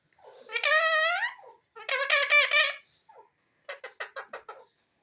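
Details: Talking green ringneck parrot uttering two drawn-out, high nasal speech-like syllables, then a quick stutter of five short clipped notes.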